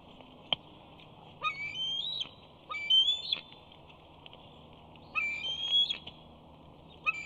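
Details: Big Bear young eagle squeeing while struggling to enter the nest where a parent holds a fish: drawn-out high whistles sliding upward, in three separate bursts with pauses, plus a sharp click near the start.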